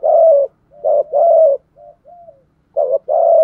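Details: Spotted dove decoy bird giving a thúc gù bài lối coo: low, mellow cooing phrases in short bursts, several loud coos with brief softer notes between them, in a quiet setting.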